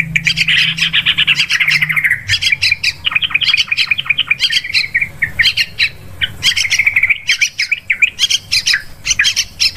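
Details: Sooty-headed bulbul lure recording for hunting birds: opens with a sustained bubbly warble, followed by a fast, nearly unbroken run of sharp, scratchy chirps and liquid notes, very busy and lively.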